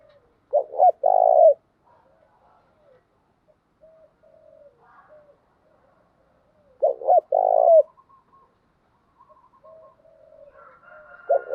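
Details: Spotted dove decoy, a female call played to provoke males: two loud bursts of low throaty cooing about six seconds apart, with faint murmured coos in between and another phrase starting at the end.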